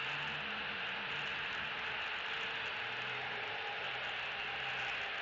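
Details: Continuous broadband hiss with a low droning hum underneath and no animal calls heard.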